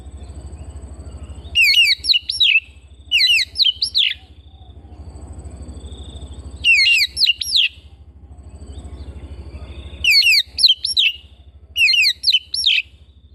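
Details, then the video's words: Captive Oriental magpie-robin pouring out rapid, looping, trill-like phrases in paired bursts roughly every three to four seconds, with a pulsing low hum between phrases. "Terapi Burung Kacer Rumahan Dua Puluh Empat Jam"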